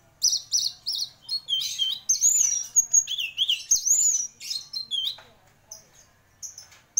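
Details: Champion orange-headed thrush singing vigorously, a rich medley of high whistles, looping slurred notes and rapid chattering phrases that run almost without a break.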